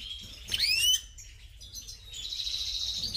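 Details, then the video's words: European goldfinch of the subspecies major singing: a quick burst of bright rising upswept twittering notes, then a thin, buzzy, sustained high trill continuing to the end. "Carduelis Carduelis Major"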